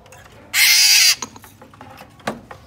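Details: A captive, trap-caught Black-naped Oriole in Vietnam, said to be calling off-song, gives one harsh, nasal, rasping call about half a second long, followed by faint voices and small knocks.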